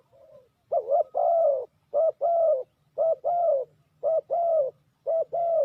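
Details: Spotted dove serving as a trapping lure, giving five steady pairs of low coos, each a quick two-part note followed by a longer, slightly falling coo, about one pair per second.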